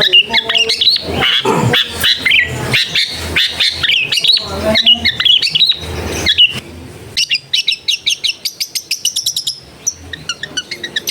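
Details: Long-tailed shrike song, used as therapy to prompt reluctant singers to answer, recorded at home in a crowded neighbourhood: dense, varied chattering and squeaky notes, then a fast run of sharp repeated clicks, with faint background noise.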